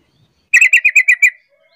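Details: Sooty-headed bulbul lure call meant to make other bulbuls call back: one rapid burst of seven sharp, chattering notes evenly spaced, bright and clear, with a quiet background.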